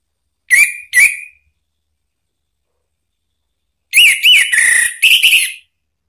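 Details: Orange-headed thrush, a caged bird, song used to provoke another bird into singing: two short bright whistled notes, a pause of over two seconds, then a quick run of rich warbled and trilled phrases.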